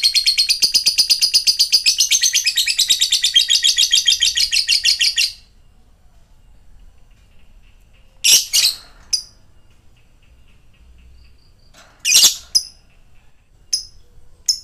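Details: Lovebird giving a long ngekek, a rapid chattering trill of dense, even pulses lasting about five seconds, followed after a pause by short separate chirps and squeaky notes. The recording is meant to prompt silent lovebirds to start ngekek singing again.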